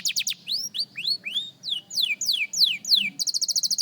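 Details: Young canary practising its song: a series of bright downward-sweeping whistled notes, roughly three per second, opening and closing with rapid high staccato trills.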